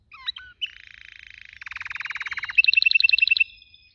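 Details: Canary in song: a few twisting whistled notes, then a rapid rattling trill that grows louder and shifts into a bright series of quick ringing chirps.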